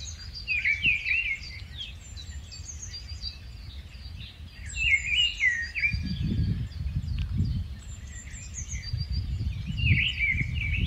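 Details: Rufous-tailed scrub robin, a migratory bird, delivering a varied run of rich warbling phrases that rise and fall. Many faint high twitters from other birds sit above, and gusty low wind noise swells midway.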